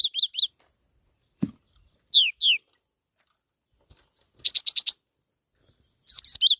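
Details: Black-throated laughingthrush: three high arched chirps, a low knock, two falling whistles, then scattered bursts of dense, rapid high notes with quiet gaps between.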